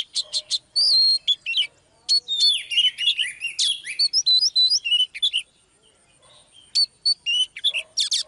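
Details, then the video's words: Female Oriental magpie-robin drawing a male into song: quick clipped chirps and whistled notes, about three per second, with a long slurred buzzy phrase, a short lull, then renewed sharp notes. "TRỰC TIẾP chòe than mái KÉO TRỐNG LÊN ĐIỆN"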